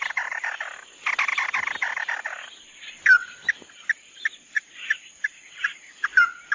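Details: Chim mắt đỏ singing tí nỉ: harsh, buzzy chattering opens, then silence, then sharp spaced notes mixed with a few slurred downward whistles. A faint steady high tone sounds in the background.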